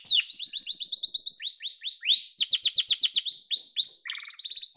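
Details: Domestic yellow canary song: quick series of repeated slurred notes, shifting into faster rolling trills and a bright high tour, all clean with no other sounds.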